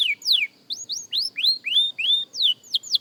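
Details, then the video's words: Short passage from a young canary learning to sing: loud slurred whistles alternating between downward and upward sweeps, roughly three per second, with brief gaps between them. "Young Canary Singing Practice – Surprisingly Good for a Beginner!"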